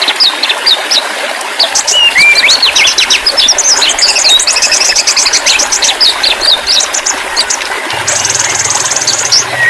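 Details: White-rumped shama song, played as therapy to restart a silent or stressed bird. Dense, loud, varied whistles and rapid trilled phrases packed with high chirps, with a buzzy lower drone near the end.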